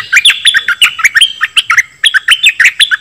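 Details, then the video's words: Dok Taeng bird, recorded as training song for young birds and to excite them: continuous quick bright chirps and whistled slurs, busy and jumpy throughout. "เสียงนกดอกแตงEp.2 ใช้หัดลูกนก เปิดให้นกคึก!!"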